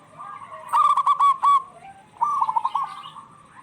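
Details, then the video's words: Local zebra doves calling back and forth, meant as a lure for stressed or silent doves: two bursts of rapid, stuttering coos with a soft gap between them. "Suara perkutut lokal gacor bersautan paling cocok pancingan perkutut lagi stress"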